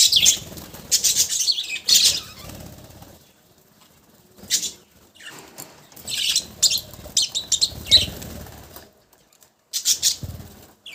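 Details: Several budgerigars giving intermittent high chirps and chatter, broken by quieter stretches and a few low thumps.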